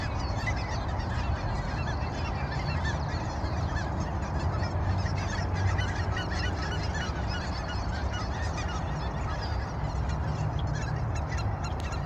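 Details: Canada geese at sunrise keep up constant clamorous honking, many voices overlapping without pause, over a loud low rumble.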